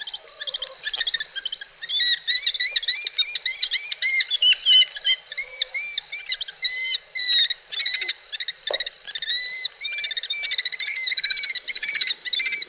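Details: Eurasian sparrowhawk heard in a garden, giving a long string of high, thin, whining notes that curl upward, delivered in quick overlapping bursts, with a faint low rustle and a brief knock in the background.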